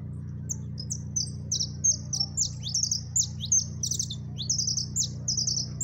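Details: Yellow siskin, called jilguero amarillo, singing in the máquina song style at close range: a rapid, continuous run of high, sharp twittering notes and chattering trills, steady low hum underneath.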